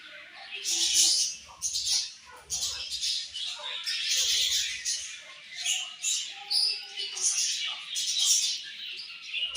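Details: Many budgerigars in a colony chattering at morning feeding time, with bursts of sharp squawky chirps over a steady bed of high twittering.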